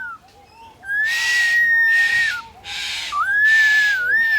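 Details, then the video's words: A Superb Lyrebird at Adelaide Zoo imitates a DSLR camera: long, steady whistled notes that bend at the ends, cut by four harsh, hissing mechanical bursts like camera shutter and motor sounds. "Lyre Bird singing to my camera and mobile"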